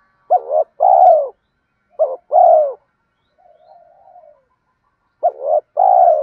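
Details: Spotted dove cooing in the thúc gù and gáy gọi styles, a call used to stimulate doves in training: three low, hooting two-part phrases, a short coo then a longer one, with a fainter, softer coo between them.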